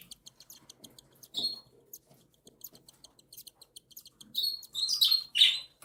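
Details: Three cockatiel chicks, one and seven days old, begging while the mother feeds them: rapid even ticking peeps, several per second, building into loud buzzy squealing cries near the end.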